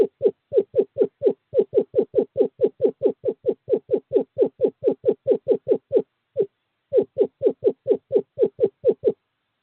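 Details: A male Eastern Screech-Owl calling a female to an owl box in courting season, 11 February 2023, gives a long run of soft, low hooting notes, about four a second on one steady pitch, with a brief pause before it resumes.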